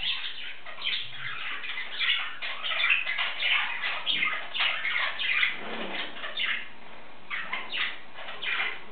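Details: Male pet English budgie talking and singing to himself: a steady, busy scratchy warble of rapid chirps and clicks; Budgerigar.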